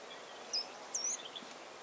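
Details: Two thin, very high Short-toed treecreeper notes, a brief sharp one then a longer piping note with a dip and rise, over faint outdoor hiss; countryside of central France, Nouvelle-Aquitaine, 13 March 2018.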